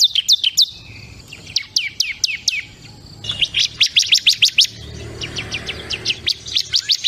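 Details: Bar-winged prinia (ciblek kristal) singing lively bursts of sharp, high, downslurred chip notes, fast rapid series separated by short pauses, with a faint background hum.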